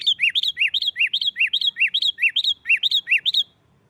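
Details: Sooty-headed bulbul singing a noisy "nggaruda" fighting-style song meant to goad rival bulbuls into singing: a fast, steady chatter of paired notes, a high bright note then a lower slurred one, about twenty in a row over three and a half seconds.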